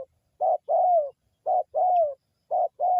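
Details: Local spotted dove cooing as a lure for attracting birds. Low mellow coos come in pairs, a short note followed by a longer gently falling one. The pairs repeat roughly every second in a quiet setting.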